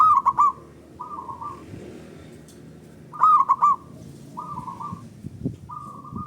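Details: Local zebra dove, loud and long-voiced, used to stimulate other doves: sharp three-note stuttered bursts each followed by softer rolling trilled coos, repeating steadily.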